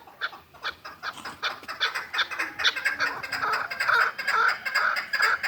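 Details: Hybrid partridge, a six-month-old young bird kept in Kulob, giving a steady series of clucking chuck notes, roughly two a second, growing louder and fuller as the sequence goes on.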